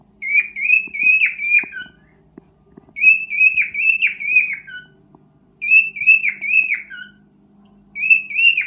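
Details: Cockatiel serenading its mate in a room: clear, bright whistled phrases of several slurred, dipping notes, repeated in groups about every two to three seconds with short silences, over a faint hum.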